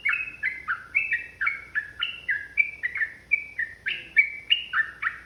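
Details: Rapid, unbroken ropel song of a yellow-vented bulbul, used as a provoking lure. Clear liquid double notes bounce at about three per second, alternating higher and lower pitches.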